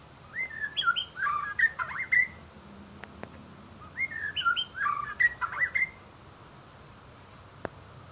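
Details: White-rumped shama repeating a similar whistled phrase twice, each a short cascade of clear up-and-down notes and chatter lasting about two seconds, with a faint hum between.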